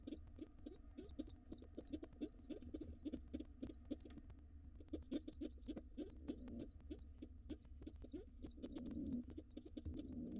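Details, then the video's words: Wild rock pigeons at a nest: a white male joins a gray female and their young nestlings. Thin, high, arched peeps repeat rapidly, several each second, in bursts with a short pause, over low soft thumps and rustling in the nest. "Pigeon family all together: Dad (white) joins Mom (gray) and with their young nestlings."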